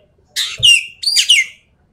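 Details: Javan pied starling in full 'tembakan' song: two harsh, buzzy phrases, each ending in a sharp descending whistle, delivered loud and close.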